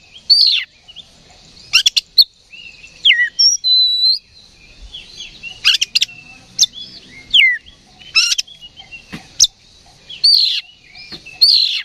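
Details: Agitated oriental magpie-robin, roused to fight by a provoking recording, delivers rapid varied whistles, slurred upward notes and sharp clicking chips in an irregular stream, with a faint steady high hiss behind.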